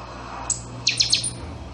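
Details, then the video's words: Buffy-fronted seedeater (pixoxó) singing its chanchão-style song: one high piercing note, then a quick run of three sharp, downward-sweeping metallic notes ending in a thin high tone, over a faint low hum. "CANTO DO CHANCHÃO - PIXOXÓ"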